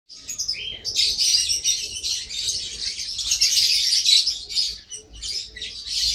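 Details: Lovebird giving a dense, shrill stream of high chirps and squeaky twitters, nearly continuous for six seconds with brief dips in loudness and a faint low hum beneath.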